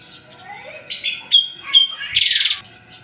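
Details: Asian pied starling in a house yard, said to act as a guard bird that reacts when strangers enter; loud, noisy mix of harsh buzzy bursts, a couple of sharp whistled notes and a rasping chatter.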